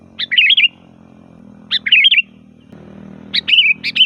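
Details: A sooty-headed bulbul in loud, varied song, used as a lure for bulbuls: three bubbly warbled phrases, each a quick sharp note sliding into a rolling chirp, with a soft low hum behind.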